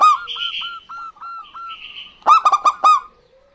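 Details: Local zebra doves, a female and a male answering each other: a run of short, soft whistled coos gives way to a loud burst of four or five rapid, harsh, ringing notes near the end.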